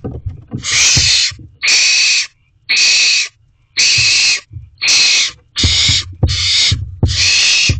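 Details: Barn owl owlets in a nest box, filmed at 8:45 pm on 12 May 2023, hissing for food while their mother grabs the prey; harsh broadband screeches of about half a second to a second, repeated roughly once a second, with thumps and scuffling beneath.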